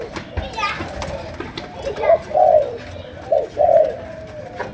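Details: Malaysian spotted dove singing in the cooing style called chiêu gù, sấm đồng: deep, husky coos in two-part phrases, the later ones louder, with brief human voice sounds near the start.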